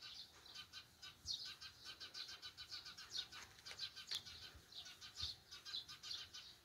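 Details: Eurasian tree sparrows chatter in a steady flock on a rural morning, with bright, high chirps tumbling over one another several times a second, over a faint hiss of wind.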